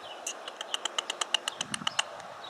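A hummingbird gives a rapid run of dry, high chips, about eight per second for two seconds, over a faint background hiss.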